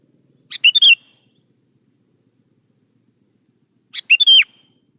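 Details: Sooty-headed bulbul singing prolifically, a lure to prompt young bulbuls to answer and sing: two short bright phrases about three and a half seconds apart, each a quick run of four clear, liquid whistled notes in a quiet background.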